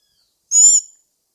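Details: Black-backed tanager, a single harsh, buzzy call about a third of a second long, rich in stacked high overtones with a faint lower sliding tone beneath; silence before and after.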